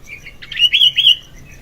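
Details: Sooty-headed bulbul in lively morning song, used as a lure and tutoring recording: a short phrase of three or four rich, slurred whistled notes rising and falling.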